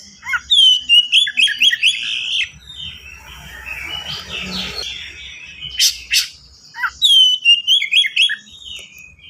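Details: Fast, dense song of a white-rumped shama used as a master for other birds: a series of loud repeated falling whistles, a quieter buzzy stretch, sharp bursts, then the falling whistle series again.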